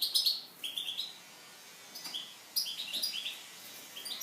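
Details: Eurasian siskin giving its song, likened to a living alarm clock: quick high chirps and twittering phrases with short buzzy notes, a pause of about a second, then another run of rapid twitters.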